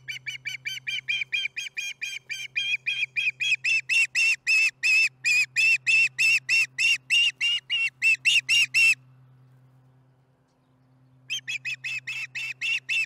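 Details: Osprey chatting at the Charlo nest over dinner, July 15, 2019, afternoon; a long rapid string of about thirty shrill whistled chirps, growing louder, breaks off for two seconds, then resumes.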